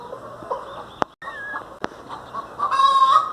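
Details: Domestic hen kept as a pet bird, giving a few soft clucks, then a louder, harmonically rich call rising toward the end; sharp clicks and faint background noise.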